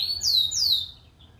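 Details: Bird giving two clear, high whistled notes, each sliding downward, in quick succession, then quiet with a faint low hum.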